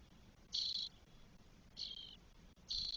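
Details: Spotless starling chicks, four nestlings aged 12 days, nest in Spain, 1 June 2022. Three loud, close, rasping hiss calls, each roughly a third of a second, with quiet gaps between.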